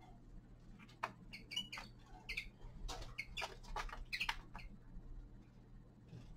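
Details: Young male common linnet in winter giving a loose twittering song: short bright chirps and buzzy notes in irregular bursts, densest in the middle seconds, over a steady low hum and faint clicking.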